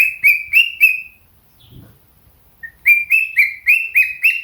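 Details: Pet cockatiel singing in the morning with budgies joining in: a run of bright, harmonic chirped notes repeated about four times a second, a pause with a soft thump, then a quicker string of similar rising-falling chirps.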